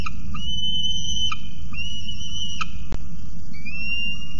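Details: Young male peregrine falcon woken at night on a nest ledge at Orange, 18 November 2018, crying softly at his returning mother; long, steady, whistle-like tones with a faint upward slide, repeated, over a constant low rumbling hum.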